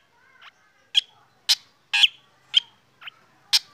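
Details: Black drongo singing in the morning while being sunned, a bout said to set other birds singing: sharp, harsh, broadband chip notes with a brief whistled ring, about two per second, some louder than others, in a quiet background.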